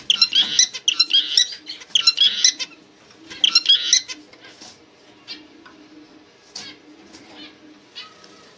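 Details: Zebra finch giving four quick bursts of harsh, buzzy, nasal chirps over the first four seconds, then scattered softer single chirps against a quiet background with a faint low hum.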